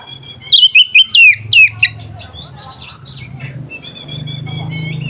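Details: Lure song of an oriental magpie-robin meant to stir rival birds and breeding drive: a rapid burst of loud, strident whistles sliding downward, about six phrases in a second and a half, then softer chirps over a persistent low droning hum.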